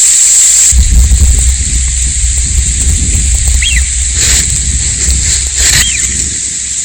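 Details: Eurasian wigeon calling: two clear whistles, each rising then falling, spaced about two seconds apart, over a steady low rumble with brief broadband bursts of noise.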